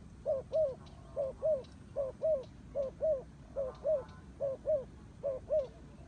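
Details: Turtle dove giving soft hooting doublets, two short low coos close together, with each pair repeated at a steady rhythm under a quiet background.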